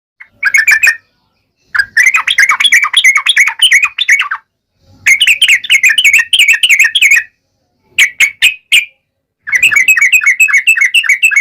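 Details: Yellow-vented bulbul in lively 'ngalas tajam' style song, used to provoke other birds into singing: five bursts of bubbly, chattering whistled notes separated by short silences, clean with no other sounds.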